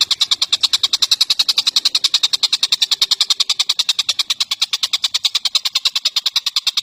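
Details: Rapid dry rattle from an Indonesian bird, tengkek buto or cucak jenggot, used in a training recording for songbirds: steady harsh ticks, about three to four a second, continuing without pause.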